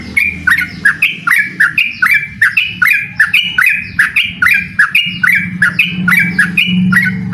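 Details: Yellow-vented bulbul singing energetically in ropel style to challenge a rival: a long unbroken sequence of rich, gurgling whistled notes, rising and falling, about three per second, over a low hum.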